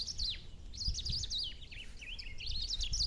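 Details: Black-throated saltator in the countryside giving rapid, twisting, bright warbled notes almost without pause, with sharp downward slurs, over faint low-pitched rumbling.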